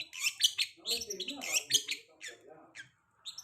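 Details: Long-tailed shrike lure song meant to set moulted birds singing: dense, grating bursts mixed with squeaky notes, running quickly and then fading to a pause before one more short phrase.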